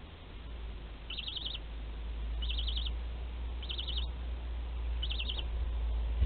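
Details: Barn owls nesting in Théding on 20 July 2020, filmed by nest camera as a 13-day-old chick swallows whole prey; four high, trilled zigzag chitters, each about half a second, spaced roughly every 1.3 seconds over a low hum.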